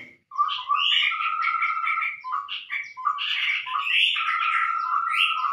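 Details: Scarlet-rumped babbler lure call used in bird trapping: continuous chattering with repeated whistled notes and a level sustained tone, loud and unbroken throughout.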